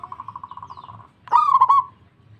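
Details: A local zebra dove sings a string of steady soft pulsed coos, a short pause, then a loud wavering cooed phrase with a rough start.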